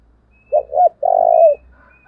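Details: One "thúc" phrase from a decoy spotted dove used to provoke wild doves: two short, bending coos, then a longer, steady coo that drops at the end, over a faint low hum.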